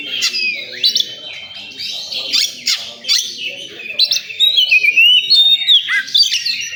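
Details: Oriental magpie-robin at a singing competition venue delivers varied high phrases: scratchy chatters alternating with clear, falling and rising whistled slurs, repeated in quick succession, with low background murmur.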